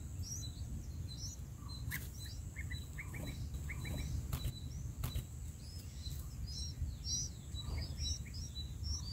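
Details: Bulbul chicks in the nest, being fed a large bug by a parent, give thin, high, rapid chips and squeaks in short bursts, over a steady low rumble of background noise.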